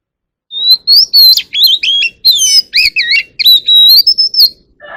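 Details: Singing white-rumped shama calling its flock in a forest voice: a rich, fast string of varied whistles, sliding and looping notes with sharp buzzy accents, loud and clear against silence.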